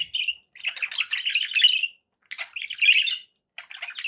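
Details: Pet budgerigar giving three buzzy, grating bursts of warbled chatter, each lasting about a second or more, separated by short silences.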